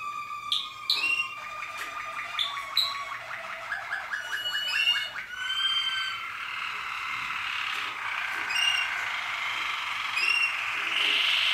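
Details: Malinois Waterslager canary, 2014: fast bubbling water-like rolls that descend, followed by a sustained ringing trill with scattered high clicks.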